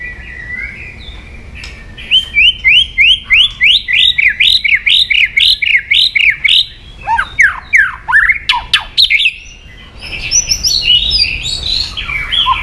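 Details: White-rumped shama in provoking, aggressive song: long runs of rapid rising whistled notes, then sharp downslurred chips and a varied, warbling close with scratchy high notes.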